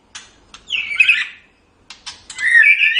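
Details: White-rumped shama, a caged songbird recorded as a training song for pet birds, gives rich whistled phrases around two to four kilohertz, a rising slurred note then warbled notes, broken by sharp clicks and a short pause.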